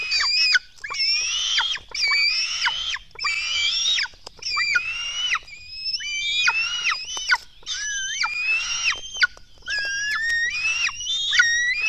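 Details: Black stork nestlings beg at a nest in Latvia as they are fed, 04:53 on 24 June 2016. Rapid, overlapping rasping screeches follow each other in irregular bursts throughout, with sharp clicks between them.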